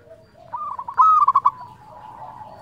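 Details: Local zebra dove in an active singing mood: a soft cooing lead-in builds to a bright rising whistle and a rapid series of fluted coos.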